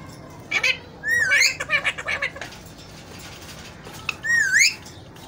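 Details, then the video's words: Pet Alexandrine parakeet playing: ringing chirps and a swooping whistle, a stuttering run of short notes, a quiet gap, then another rising whistled call. "Amazing Alexandrine Talking Parrot"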